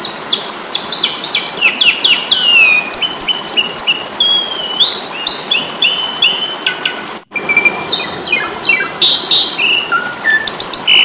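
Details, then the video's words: Asian pied starling singing in a fighting mood for cage-bird tutoring: dense, fast chatter of chirps and descending whistles, a brief cut-off mid-way, then more rapid clicks and whistles. "Masteran jalak suren ,pasti tarung"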